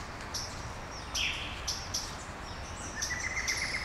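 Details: Early-morning birds in Brasília, Brazil: sharp, very high tinkling notes repeated every half second, one louder buzzy phrase, and a quick string of short ticks near the end, all over a quiet hiss.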